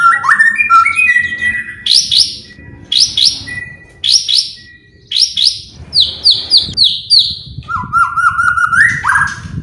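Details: White-rumped shama song used to trigger other birds into singing: fast rising whistled trills repeated in quick bursts, a warbled opening and a lower rippling phrase near the end, light background hum.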